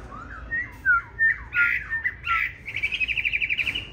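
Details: Green-bean-eyed Chinese hwamei fighting song, used to teach other hwamei a smooth song: several short whistled slurs and louder rough notes, ending in a rapid, even trill of about a dozen repeated notes.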